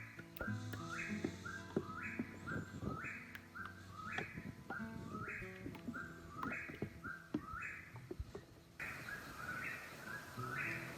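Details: Eastern whip-poor-will calling at night at Lake Jocassee, South Carolina, where the birds call all night. It chants its loud, whistled three-part phrase, rising at the end, about once a second without pause, over a low steady hum.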